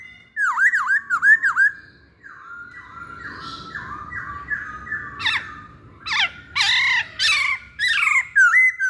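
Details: Masked laughingthrush, called poksay Hongkong, played to prompt other birds to sing: quick dipping whistled notes in a run, then a long string of level whistles, followed by loud harsh squawking bursts repeated several times.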